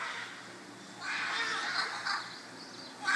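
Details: Fourteen Scarlet Macaws fussing over a perch in a backyard near Tarcoles, Costa Rica, give harsh, raspy squawks: one long grating burst lasting about a second, then a fresh screech at the end over a quiet background.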